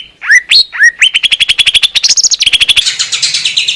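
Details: Wild greater green leafbird from Indonesia giving clear master song: falling slurred whistles, then a quickening string of clipped notes that speeds into dense, high, buzzy twittering.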